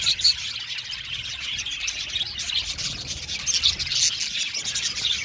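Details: Blue male budgerigars chirping together, a dense, continuous chatter of high, scratchy twitters and short squeaky notes from many birds at once, with a few brighter clear chirps standing out.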